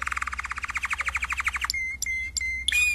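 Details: Singing canary from a 2016 training song collection, opening with a fast pulsing rattle-like tour, then thin clear whistled notes broken by short sharp high chips, with a constant low background hum.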